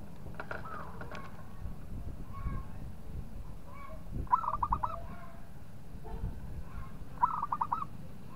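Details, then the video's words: Local zebra dove singing to provoke a rival: three separate bursts of quick, stuttering coos, each a run of four to five rolling notes, spaced a few seconds apart over a low rumbling background. "PERKUTUT LOKAL GAJOR JAGO MEMANCING LAWAN BUNYI"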